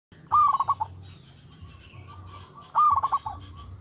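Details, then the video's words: Local zebra dove in steady full song, used as a lure recording: two cooing phrases, each a rising note that runs into a quick rolling trill, separated by a pause over a low background hum. "TERATUR PERKUTUT LOKAL GACOR SUARA TERATUR PANCINGAN TERBAIK"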